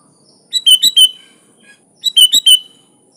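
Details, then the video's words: Sooty-headed bulbul repeating a cheerful phrase twice, about a second and a half apart. Each phrase is four quick, liquid whistled notes with a falling slur. "Suara Burung Kutilang Gacor full isian alam"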